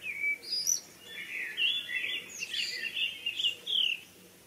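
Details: Evening birdsong outdoors: several bright chirping phrases, high and warbling, rising and falling in quick bursts over about four seconds, with short pauses between them and a faint low hum beneath.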